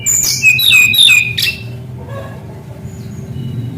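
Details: Brown-chested jungle flycatcher singing actively with rolling phrases, used to stimulate young birds that are not yet singing: a rapid burst of clear, high whistled and chirping notes for about one and a half seconds, then quiet with a low steady hum.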